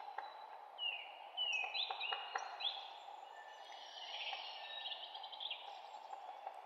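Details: Birds chirping in a forest: bright whistled notes and short sliding phrases, several rising then falling, scattered over a steady hum of background noise.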